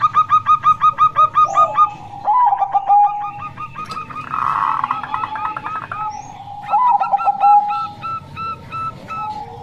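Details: Zebra dove, a local female, singing to lure males: a quick series of staccato fluty notes, then lower drawn-out coos and a rough burst midway, the clipped notes resuming toward the end.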